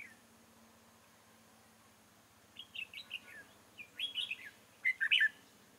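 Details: Red-whiskered bulbul used as a decoy bird for trapping, recorded in Chương Mỹ, Vietnam, on 7 October 2018; after quiet, a run of short bright whistled and chattering notes, louder toward the end, over steady low hum.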